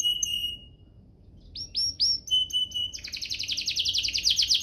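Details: Canary song used as a lure to stimulate other canaries into full, lively singing. A steady high whistle, then sliding upward whistles, then a fast, rich rolling trill of rapidly repeated bright notes that grows louder toward the end.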